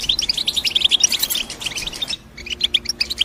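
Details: European goldfinch chirping: a rapid, bright twitter of high notes, several each second, breaking off briefly after two seconds and then resuming in sparser chirps over a faint low hum.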